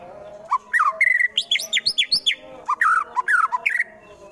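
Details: Fighter white-rumped shama from Wonosobo, Central Java, pouring out harsh rapid shots to make opponents agitated: quick sequences of sharp, sweeping whistled notes, some dropping steeply, packed closely over a few seconds.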